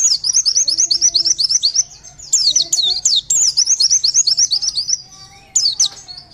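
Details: Lure recording of Oriental white-eye song, Bustomi setting meant to make birds reply: dense bursts of fast, thin, high twittering notes, close to three per second, separated by brief quieter gaps, faint lower whistles in the background.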